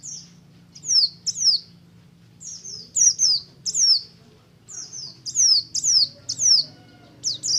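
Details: Buxtomi oriental white-eye singing ngalas, used as a lure so other white-eyes sing: high, piercing, falling whistled notes in irregular pairs and short series, with brief silent gaps.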